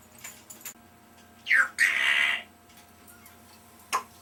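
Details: A 3-year-old pet African grey parrot that talks a lot, heard indoors giving a falling, harmonic squawk, then a longer harsh buzzy note, and after a pause one short sharp call, in a quiet room.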